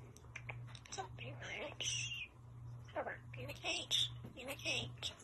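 A starling imitates human speech, with rapid word-like chatter broken by clicks and a few thin, high whistles over a steady low hum.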